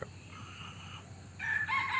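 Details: Red Junglefowl crow from a young male guarding a hen and chasing and kicking a rival male, on a misty morning near Nam Som, Udon Thani, Thailand: a faint drawn-out phrase, then a louder strident burst of harsh notes cutting off abruptly, low rumble beneath.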